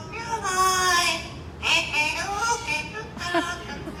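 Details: Pet Yellow-naped Amazon singing a song on request in a human-like voice: three drawn-out, wavering phrases with short breaks between them.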